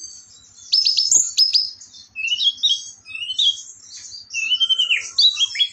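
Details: An orange-headed thrush sings a varied run of high, quick chirps and twisting whistled slurs, the phrases coming in loud bursts with short quieter gaps.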